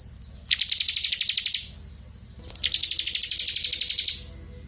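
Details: Ciblek kristal with a clear voice, a tutor recording for murai batu: two long bursts of rapid, regular high chattering notes, each about one and a half seconds, over a faint low hum.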